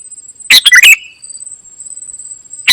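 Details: Ruby-throated bulbul (kutilang emas) singing vigorously: one loud, clipped burst of three or four sharp chirpy notes, then near silence with a steady high thin whine, and a new burst starting at the end.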